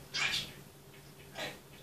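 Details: Household grey parrot performing from its repertoire, captured by mobile phone: a bright, high-pitched squeaky utterance, then a softer echoing one about a second later, over low background hum.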